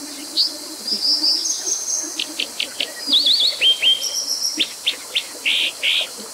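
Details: Brown dipper, Cinclus pallasii: a rapid, varied high phrase of sharp repeated chips, thin whistled slurs and a trilled wavering note, notes coming in quick bursts over a steady background hiss.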